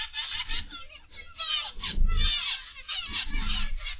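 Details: Aviary zebra finches calling together on the afternoon of 29 November 2021, with many short nasal, trumpet-like notes overlapping in dense clusters and soft low thumps underneath.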